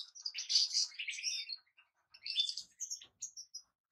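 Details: European goldfinch producing a loud burst of jangling, buzzy twitters, then a short pause and a second, softer run of tinkling chirps and thin whistled notes.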